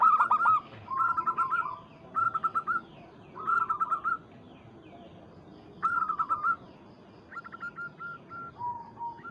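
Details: A local zebra dove calls out to a rival with short clusters of rich, rolling coos repeated every one to two seconds, separated by quiet pauses, the final notes drawn out lower.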